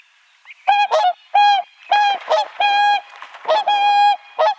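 Whooper Swan giving loud, bugling honks, about eight in quick succession, some drawn out and level, others short and broken, with a nasal trumpet-like ring.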